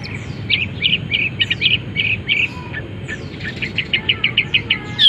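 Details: Long-tailed shrike in a cage, uncovered, singing an imitative song with canary and sparrow-fight phrases: a string of short, clear, evenly spaced chirps, then quicker rising notes toward the end. Steady low hum behind.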